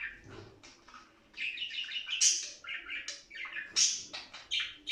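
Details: Budgerigars in breeding condition, played to stimulate other budgies to mate: a soft start, then lively chirping warble with bright high squeaks and scratchy notes in uneven bursts.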